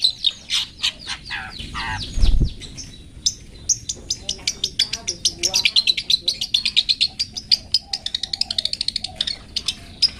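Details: Long-tailed shrike in 'toet toet' style, recorded for training pet birds: a fast, dense stream of high chips and twittering trills, with one loud low thump early on.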